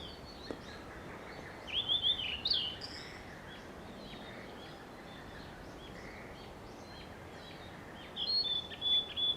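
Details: Blue-and-white flycatcher singing nearby, recorded 2 June 2020; two short bursts of clear warbled whistled phrases, far apart, over steady outdoor background noise and faint insect hum.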